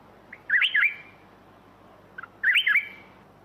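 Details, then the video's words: Two bright, bubbly whistled phrases from a black-crested bulbul, each a rapid up-and-down warble, about two seconds apart, with faint notes before the second. "เสียงนกปรอดเหลืองหัวจุก (ສຽງນົກຫອນຫົວຈຸກ)"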